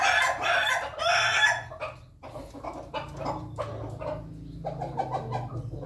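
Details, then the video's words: Pelung chickens at their morning feeding. A loud, drawn-out, harsh crow lasts about one and a half seconds, followed by scattered short clucks and pecking noises over a low steady hum. "ayam pelung makan pagi"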